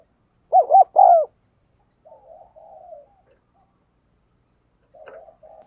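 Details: Caged decoy spotted dove cooing vigorously to attract wild doves: a loud phrase of two quick notes and a longer falling note, then soft low murmuring coos and a faint click near the end.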